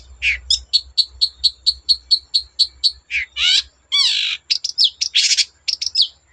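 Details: Long-tailed shrike singing to provoke others of its kind: about a dozen clipped chips at a steady pace, then wavering rasps and a jumble of squeaky, buzzy notes.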